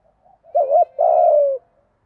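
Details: Spotted dove prompting coo in the 'giọng thổ' style, used to stir wild doves and train birds: one phrase, a short wavering double note, then a long, steady, slightly falling coo, in quiet surroundings.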